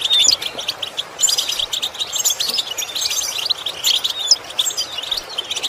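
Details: Goldfinch song meant for training goldfinches to imitate sounds: dense, lively high twitter of quick chirps and liquid notes, with occasional sliding whistles over an unbroken flow.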